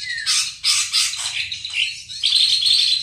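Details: White-rumped shama singing harsh, buzzy high phrases, ending in a rapid shrill trill.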